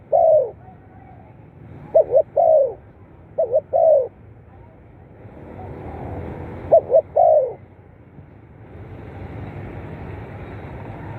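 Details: Spotted dove calls played to stimulate captive birds. Four cooing phrases, each two short notes and a longer descending coo. A broad rushing background noise swells in the second half.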